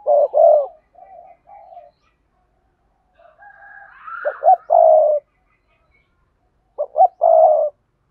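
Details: Spotted dove in lure calls to draw wild doves, mixing sa thúc, cooing and crowing: husky low coo phrases about every three seconds, short clipped notes leading into a drawn-out rolling coo, faint thin whistles between.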